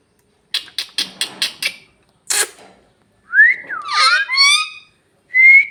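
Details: Bhojpuri-talking parrot gives a rapid series of five short raspy clicks and a burst of noise, then a rising, bending, speech-like squawk with layered tones, ending on a brief high whistle.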